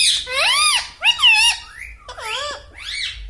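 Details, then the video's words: Human-mimicking pet parrot indoors, said to say "mummy": four loud, rich voiced syllables in quick succession, each arching up then down in pitch like spoken words. "Mummy Bolne Wala Tota - Talking Parrot"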